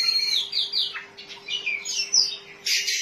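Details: Oriental magpie-robin (kacer) with an elaborate mimicry-rich song, used as a lure and master for training other birds: a varied series of downslurred whistled notes, then a harsh burst near the end, over a steady low hum.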